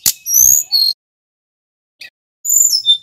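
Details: Snowy-browed flycatcher song used as a lure for training other songbirds: a few high thin whistled notes and a slurred phrase, a long silence, then another sharp high downward-sliding whistle.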